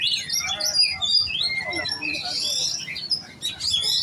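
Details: Oriental magpie-robin of giras stock, kept for singing contests: varied fast song of sliding whistles, rising and falling notes and scratchy chips, with a short pause near the end before resuming.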